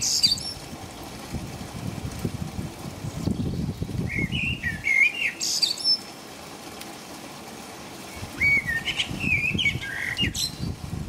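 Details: In the middle of the night in England, a blackbird sings in the rain: a fluty warbled phrase with high twitters, a quiet gap, then a second mellow whistled phrase, with rain pattering around.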